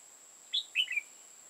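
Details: Red-whiskered bulbul used as a trapping decoy in Hòa Bình, Vietnam. It gives a short, clear phrase: one high whistled note, then a quick tumbling pair of lower, liquid notes. A steady faint high whine is heard throughout.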